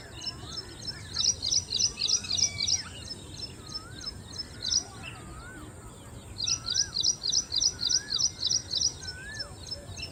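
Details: Ashy prinia song: two long bursts of fast, high, ringing notes repeated steadily about three per second, separated by a pause, with softer lower slurred whistles from another bird and a steady high hiss behind.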